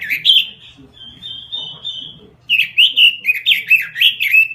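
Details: Gacor robin song: a few warbled notes, a long sustained high whistle, then a quick string of fluty, bouncing phrases rising and falling; soft low background noise.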